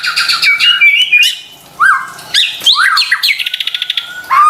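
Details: White-rumped shama song played to prompt reluctant birds to sing: varied whistles and swoops, scratchy notes, then a quick rattling trill of evenly spaced clicks before a final rising whistle.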